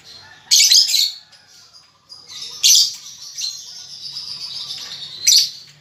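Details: Young lovebird learning to chatter, with three loud harsh chirping bursts roughly two seconds apart over a continuous thin, high twittering background.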